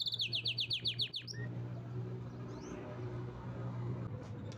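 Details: Canary kept as a pet gives a quick rhythmic series of about nine high notes, then falls silent under a steady low hum and faint rustling.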